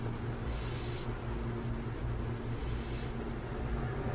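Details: Two high, hissing screeches from burrowing owls near San Jose, each about half a second long and two seconds apart, over a continuous low background hum.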